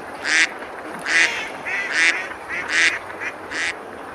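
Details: On a summer river in the medieval village of Besalú, Spain, feeding ducks give six loud, hoarse quacks with a few quieter extra notes between them, over constant flowing water.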